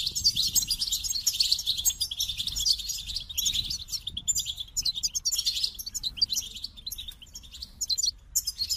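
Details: Goldfinch song: a dense, continuous high twittering of rapid tinkling, buzzy notes and trills, with brief breaks, over a faint low rumble.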